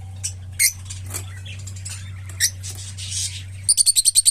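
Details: Opaline lovebirds giving scattered sharp, harsh chirps and short squeaks at irregular intervals, ending in a fast run of about eight very high, evenly spaced chirps, over a steady low electrical hum.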